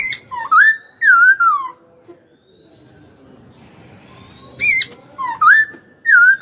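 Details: Pet Hwamei praised as a frequent singer: a run of rich whistled slurs, then a quiet gap with soft rustling, then another burst of rising and falling clear whistles.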